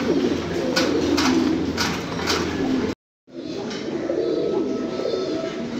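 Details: Many fancy pigeons cooing at once, a dense band of low throaty rolling coos with sharp taps, broken by a brief silent gap before the cooing resumes.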